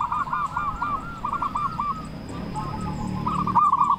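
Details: Local zebra dove with a big, persistent voice, meant as a lure for shy or silent doves. It gives rolling staccato coos over steady low background noise and a thin, constant hum.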